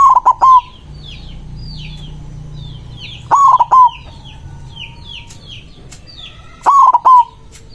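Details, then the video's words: A white zebra dove with a big voice sings rival-calling coos. Three clipped, rolling phrases are spaced about 3.3 seconds apart over steady chirping from small background birds. "Perkutut putih gacor suara besar ampuh memanggil lawan bunyi emosi manggung"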